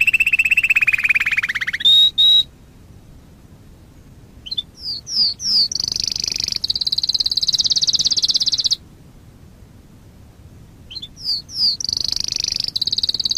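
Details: Canary master song used for training young canaries to sing: high whistled rolls, sweeping chirps and long buzzy trills, separated by short silent gaps.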